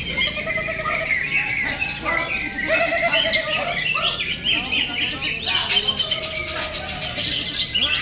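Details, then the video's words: Greater green leafbird in contest-style song, used as a lure recording: rapid, jumbled high whistles, chips and harsh squawks run together without pause, with a burst of fast rattling trills near the end; other birds and faint voices mix in. "SUARA CUCAK IJO"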